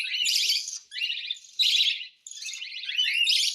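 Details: Cockatiel begging during hand-feeding: harsh, raspy, rapidly pulsed bursts, each under a second, four of them separated by brief pauses, loud and high-pitched with no other sounds.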